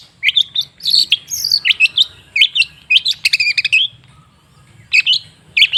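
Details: Cendet (long-tailed shrike) lure song: a tumbling phrase of whistled slurs and scratchy chatters, then about a second of near silence before a few more bright notes, over a soft low hum.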